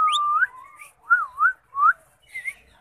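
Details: A talking Indian ringneck parakeet gives four clear, whistle-like phrases in under three seconds, swooping up and down in pitch like mimicked speech.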